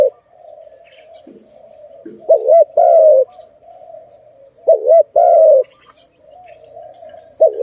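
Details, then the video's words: Zebra dove, called Malay dove, recorded during trapping of doves that are later released; three loud cooing phrases, each a quick wavering double note followed by a longer falling coo, over a steady soft cooing of other doves. "Lovely dove- Video lovely Malay dove, Sound of good dove"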